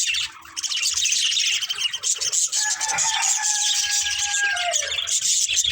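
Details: Several budgerigars chattering nonstop while they play and eat, a thick wash of high twittering with a thin whistled line gliding through the middle.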